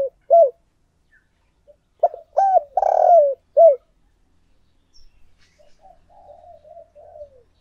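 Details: Spotted dove used as a decoy bird, cooing to attract and stir up wild doves: short clipped notes, one loud rough drawn-out coo, then a quieter wavering murmur.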